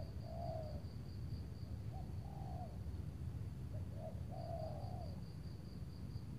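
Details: Spotted dove heard during luring with a long-kept decoy bird on a cloudy afternoon in Tangerang; three quiet drawn-out coos, each slightly falling, a short note sometimes before, above constant low background noise.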